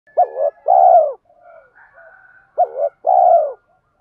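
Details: Spotted dove decoy bird giving a "tiếng thúc" call used to provoke wild doves: two low cooing phrases, each a short hooked note then a long hoarse coo, with faint softer cooing between them.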